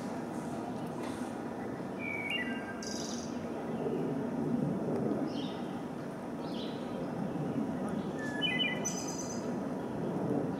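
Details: A wood thrush at Huntley Meadows sings two faint fluted phrases about six seconds apart, each a few descending notes then a thin high trill, over steady rushing background noise.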